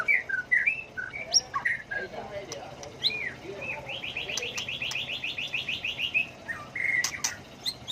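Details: Varied, voice-switching white-rumped shama song used to spur birds into singing contests: scattered whistled slurs, then a fast even series of about fifteen repeated chipping notes, closing with a bright sustained whistle.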